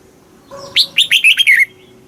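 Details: Red-whiskered bulbul in Thailand, a caged bird's southern-style master song meant to rouse caged birds and teach young ones; one short phrase of about six crisp, chirpy whistles, each sliding downward, over a low steady tone.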